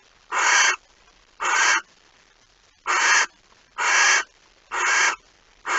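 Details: Barn owl at the nest on 26 August 2019 around 05:14, as the second mouse of the night is brought in: six harsh, broadband hissing screeches, each under half a second, repeated roughly once a second over a quiet background.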